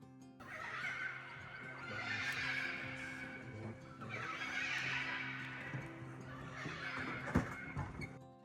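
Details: Red-and-green macaws at a sinkhole in the Pantanal, Brazil, where many of them live, giving long, harsh, raucous screeches in two drawn-out bursts with a sharp squawk near the end, over steady background music.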